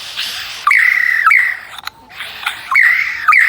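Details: Captive superb lyrebird at Adelaide zoo copying camera sounds: level whistled tones broken by sharp, clicking bursts, in two similar phrases separated by a brief quiet spell.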